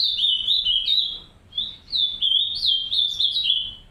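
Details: Captive green-winged saltators, a pair raising three chicks in an aviary, give loud, high, warbled chattering in quick succession, with a brief dip before the run resumes and continues to the end.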